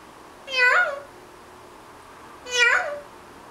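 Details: Pet parrot making animal noises while napping in the morning indoors. It gives two drawn-out, cat-like meows about two seconds apart, each bending up and then down.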